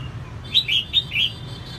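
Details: Female red-whiskered bulbul singing to stimulate males, giving one phrase of four clear, slurred whistles, each rising then falling, spaced about a fifth of a second apart, with a low background hum.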